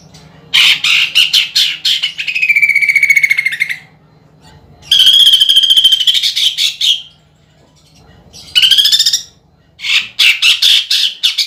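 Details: Energetic greater green leafbird song packed with woodpecker (pelatuk bawang) mimicry for contest birds. Bursts of fast rattles alternate with long level whistles and rolling trills, separated by short silences.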